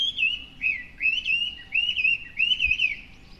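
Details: Chinese hwamei singing from a hedge in front of a house every morning, staying out of sight: loud, clear whistled phrases that warble up and down, repeated in four looping bursts, with faint low background hum.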